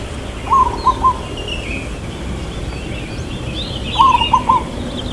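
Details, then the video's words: Local zebra dove with a long 'kuk' in 'irama lelah' rhythm: two separate phrases of three low, rolling coos about three seconds apart, with scattered faint bird chirps between. "Perkutut Lokal Suara KUK Panjang IRAMA LELAH"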